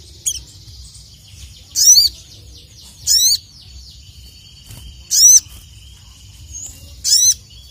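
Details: Crested jay, emotional calls meant to call out rivals: loud, sharp notes sweeping upward with a slurred downward tail, repeated roughly every one to two seconds, with a faint steady high whine in the background.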